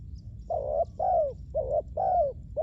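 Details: Close, loud coos of a spotted dove kept for luring wild doves: a clipped flat note followed by a drawn-out, slightly falling one, the pair repeated twice in under three seconds.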